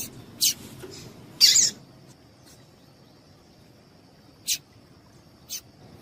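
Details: A female Double-collared Seedeater gives a call meant to excite males. A brief chip is followed by a longer, louder burst, then two isolated high chips after a quiet gap, over a faint whine.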